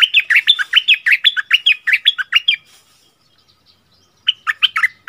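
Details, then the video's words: Merbah lekir bulbul song in a doubled-phrase style, recorded 24 February 2021: rapid bursts of bright warbled, slurred notes repeated about twice a second for two and a half seconds, a pause, then a fresh phrase of chirpy notes. "เสียงต่อนกดอกแตงEp.33เสียงใหม่ล่าสุด เปิดดอกเพลงเบิ้ลน่าฟังSuara merbah lekir"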